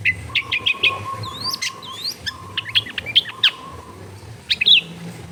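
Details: Lively long-tailed shrike song used as a lure to make lazy shrikes sing, recorded in a crowded residential area: rapid varied chirps, swooping whistles and sharp ticks in dense sequence, with a thin steady mid tone behind.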